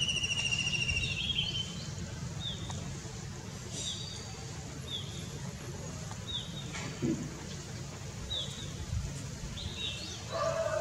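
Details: White-throated Kingfisher perched on a signal tower in an Indian city gives a brief high trilled rattle, then short, sharp, high notes roughly once a second, over a steady low outdoor rumble.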